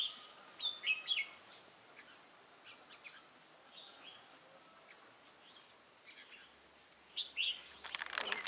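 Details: Recorded 22 October 2018, a wild-caught red-whiskered bulbul with a lân-type crest gives a few scattered whistled phrases between quiet gaps, ending with a burst of song and a sharp rustling noise.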